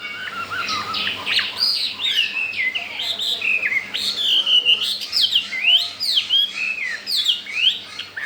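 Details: Newly acquired wild-caught Chinese hwamei in a cage, four days after arrival, wanting to breed and singing strongly. Varied loud whistled phrases with sharp upslurs and downslurs follow each other rapidly and continuously.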